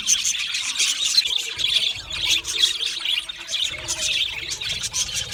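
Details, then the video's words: Australian budgerigars, several birds chirping and chattering together, a dense continuous flock of high, scratchy warbles and short squawks with no pauses. "Budgie singing and chirping sounds | Australian Budgie sounds"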